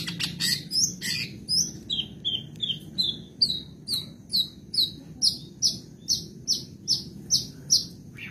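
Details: Long-tailed shrike from Madura, kept for song, on a mimicry tutor recording: opening scratchy chatter gives way to a long series of clear downward-slurred whistled chips, about two each second.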